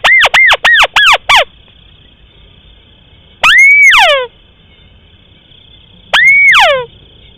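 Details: Short crake lure from rice paddies: four quick arched whistles with falling tails in rapid succession, then two longer single calls, each an upward whistle ending in downward-sliding harmonic sweeps, over a steady high background tone.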